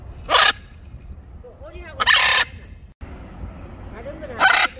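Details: Teasing its owner, a pet blue-and-yellow macaw gives three loud, rough squawks about two seconds apart, while a person talks softly between them.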